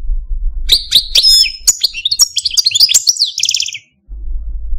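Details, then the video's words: Caged male Parva goldfinch from Algeria delivering a dense stream of tinkling high chirps and slurred whistles, closing in a fast buzzy rattle before silence and a low hum. "Algerian Parva goldfinch, Chardonneret, Cardelino, Jilguero Stieglitz, Stillits"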